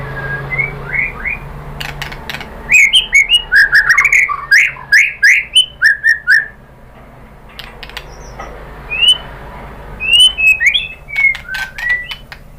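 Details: White-rumped shama used as a lure to make another bird sing, said to be a female calling a male; varied whistled phrases near two kilometres up, some slurred and rising, in bursts with pauses and sharp clicks between, low hum beneath.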